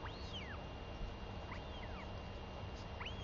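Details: Northern royal albatross chick in New Zealand, 23 May 2021, begs for food from its mother, back after seven days at sea: three thin, arching squeals that rise then fall over about three seconds, against a steady wind rumble.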